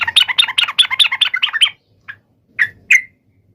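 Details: Song of a sooty-headed bulbul challenging a rival, a quick run of about a dozen bright, bouncing chirps, then a pause and three isolated sharp notes.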